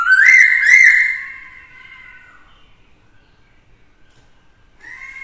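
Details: Male Black-throated laughingthrush in fighting song, a female nearby spurring him on: two loud, ringing whistled notes rising at the start, a long fading steady tone, a quiet gap, then a soft whistle returning.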